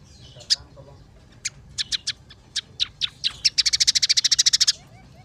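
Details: Scaly-breasted munia (emprit peking) in full song for a tutor recording: sparse high ticks speed up into a dense, buzzy rattle of rapid notes lasting over a second, quiet background.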